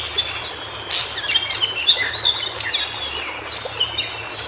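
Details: Song of a White-browed shortwing recorded in its native habitat: rapid, sweet, high-pitched whistled notes tumbling in a continuous chattering warble, with a brief burst of noise near the start.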